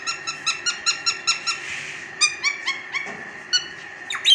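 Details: A talking Rose-ringed (Indian ringneck) parakeet chatters in quick, harsh syllables, about five per second, then gives a few slower squawky notes and a rising squeak at the end.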